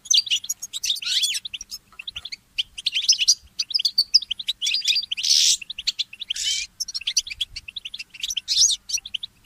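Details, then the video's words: Goldfinch mule singing at dawn, a goldfinch hybrid: fast, continuous chattering twitters mixed with sweet whistled notes and harsh buzzy trills, delivered in rapid repeated runs. "The inspiring Motif of the Mule Goldfinch"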